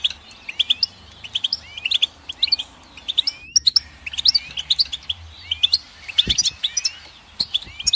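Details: Goldfinch song, a steady run of sharp high ticks and curling rising whistles repeated in short phrases, with one brief pause near the middle.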